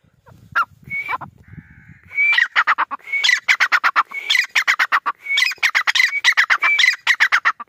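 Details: Grey francolin, known locally as Irani teetar, giving a loud call: a short sharp note, then rapid runs of clear ringing notes repeated in bursts, growing steadily louder, with faint low rumbling at the start.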